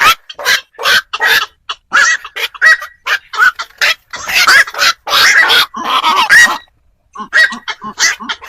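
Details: Lure recording of black-crowned night herons for catching birds after dark at Tết: continuous rasping, squawking croaks from several birds, closely packed, with a short gap near the end.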